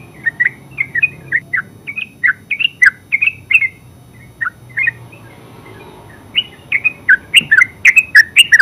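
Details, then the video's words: Yellow-vented bulbul, or terucuk, in 'ngeropel' song: steady series of bubbly, chattering notes, a brief gap, then an accelerating loud run of liquid phrases at the end. "Terucuk full suara ngeropel"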